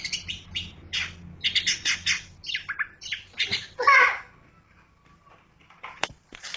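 Long-tailed shrike giving a rapid run of harsh, scratchy chattering notes for about four seconds, then a few faint clicks and a soft whistle.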